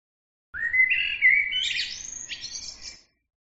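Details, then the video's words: Bird song: a single phrase of rising whistled notes, climbing from a low start into higher, buzzy trills and ending in a scratchy flourish, lasting about two and a half seconds against quiet background. "bird عصفور"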